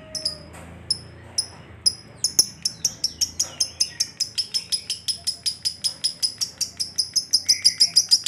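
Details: Gacor lovebird delivering the 'ngekek' long trill meant to lure other lovebirds to sing: a few spaced sharp chirps that quicken into a rapid, steady run of high clipped notes, speeding up toward the end.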